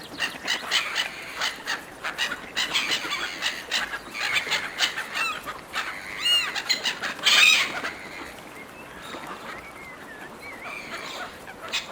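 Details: Gulls competing for food provided by people, many harsh squawking calls overlapping in quick pulses for several seconds, followed by a quieter stretch with a few drawn-out, wavering cries.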